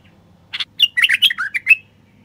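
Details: A common bulbul sings a quick burst of bright, chattering notes, about eight short phrases in just over a second, rising and falling around a mid-high pitch, played to prompt silent wild bulbuls to sing.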